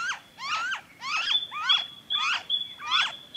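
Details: Noisy friarbird in Victoria, Australia, February 2023: harsh, nasal, stacked notes repeated roughly twice a second, with a steady thin high whistle running beneath from another source.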